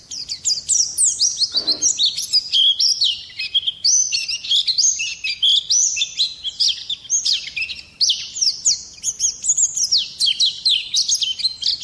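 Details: Song of an Oriental white-eye, offered as a lure and as a tutor recording for songbirds: a long, busy, high-pitched warble of sweeping, downslurred notes chained together almost without pause; one brief low rustle early on.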